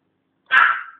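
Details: Pet African grey parrot learning to talk, giving a single short, harsh, noisy burst like a dog's bark lasting about half a second, in a quiet indoor room, with the owner's voice heard just around it.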